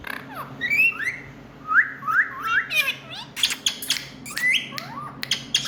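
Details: Indian ringneck parakeet calling loudly: a sequence of rising, ringing whistled squawks repeated roughly every half second, followed by sharp clicks and a few higher piercing notes.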